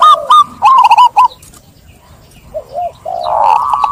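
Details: Perkutut, or zebra dove, sings a quick stuttering string of cooing notes, then a pause, two soft lower coos, and a final sustained rolling coo.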